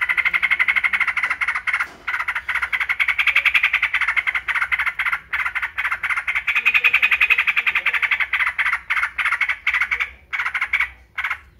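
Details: Yellow-vented bulbul, known locally as trucukan, singing in captivity: rapid, dense bubbly phrases repeated almost without pause, with short gaps near two and ten seconds.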